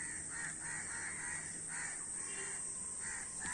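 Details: A flock of crows giving rough, repeated caws that overlap one another over a steady background hiss.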